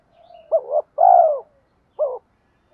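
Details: Luring call of a decoy spotted dove meant to incite wild males: a soft lead-in coo, a double note, a long rolling coo, then one short closing coo.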